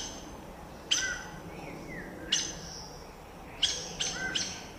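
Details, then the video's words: Saffron toucanet (Pteroglossus bailloni), Brazil, gives sharp, squeaky chirps at irregular intervals of about a second, some in a quick run of three, with a faint falling whistle between and a steady hiss behind. "Canto pássaro Araçari-banana"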